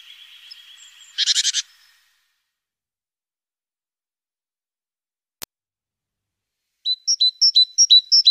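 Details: Around the nest on the morning of April 14, a great tit gives a harsh buzzy burst and a single click, then after a silence a quick run of sharp, evenly spaced high notes.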